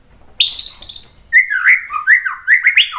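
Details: White-rumped shama song for provoking other shamas to sing: a high buzzy trill, then a series of rising and falling clear whistled notes.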